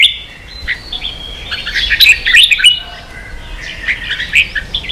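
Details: Competing red-whiskered bulbul from Vietnam, kept as a pet bird, pouring out rapid rich chirps and sliding whistled notes in a busy, uneven stream that swells in the middle and eases toward the end.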